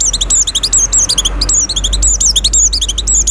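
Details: High, sweet twittering from an Oriental white-eye in breeding condition, its song used to draw in other white-eyes. Quick, sharply slurred notes run almost without pause, with a faint low hum beneath.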